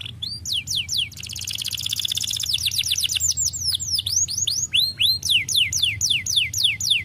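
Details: Canary song used to stimulate lazy canaries: rising and falling whistled slurs, a fast dense trill, then steady repeated looping whistles at about four per second.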